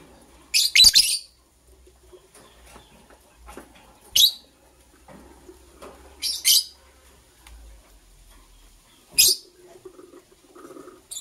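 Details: Chirping from a green and blue lovebird preparing for egg laying: four separate bursts of shrill, rasping chirps spaced a few seconds apart, with soft scratching and near silence in between.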